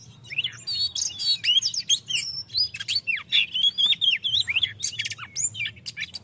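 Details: Oriental magpie-robin singing in the loud ngeplong style, used to provoke untrained or reluctant magpie-robins into singing; a rapid varied run of whistled slurs, sharp chirps and buzzy rising and falling notes, about two per second, with a faint low hum beneath.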